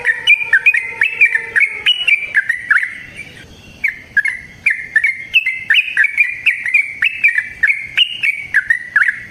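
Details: Trucukan, or yellow-vented bulbul, in a long rapid song used to coax other bulbuls into singing: rapid liquid whistled notes rising and dropping, a brief lull near the middle, then another fast run.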